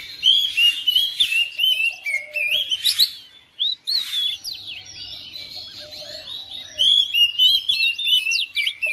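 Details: Oriental magpie-robin kept at home, quickly answering another bird: bright, varied whistled phrases and chattering notes in uneven bursts, with a brief silent gap midway and short noisy rasps.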